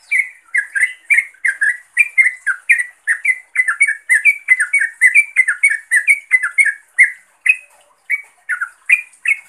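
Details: Yellow-vented bulbul calling a rival or companion, a lively, nearly continuous run of loud, bubbly chirping notes that rise and fall, delivered several per second with only one short pause near the end.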